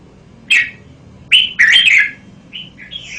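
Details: Red-whiskered bulbul with a sharp whistled note, then a lively run of slurred, bubbling notes and two softer trailing whistles, over steady low hum.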